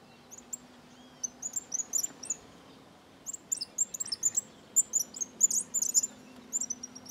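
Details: Several cattle tyrants from a small flock in Bahia's sertão sing together, a dense run of high, thin, squeaky chirps overlapping one another. A steady low hum runs underneath.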